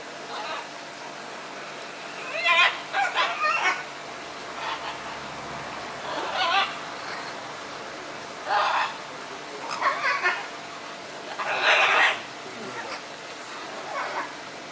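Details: Scarlet macaws squabbling, trading bursts of harsh, grating squawks, some in quick runs of three or four, others single and drawn out, scattered irregularly with gaps of a second or more, over constant background hiss.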